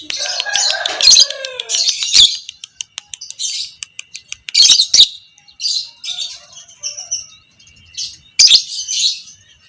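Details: Creamino fighter lovebird chattering at length, a training call for other lovebirds: a harsh rattling outburst opens, followed by clipped ticking notes, scattered shrill squeaks and a final loud screechy burst.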